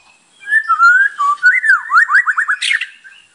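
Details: White-rumped shama giving a short whistled phrase: a rising slurred whistle followed by a fast series of five or six descending looped notes and a brief harsh burst at the end.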